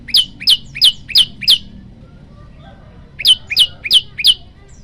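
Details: A male olive-backed tailorbird sings to draw a female, with five quick, shrill, piercing chips in a steady run, a pause of nearly two seconds, then four more alike, against a quiet low background rumble.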